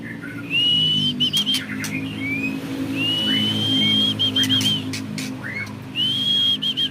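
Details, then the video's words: Caged white-rumped shama from a champion bloodline sending out long, steady, pure whistled notes, each held about a second and closed by quick clipped notes, repeated three times over a low hum. "Burung Murai Batu Trah Jawara Vegas BF Tembakan Panjang Bikin Musuh Down Mental"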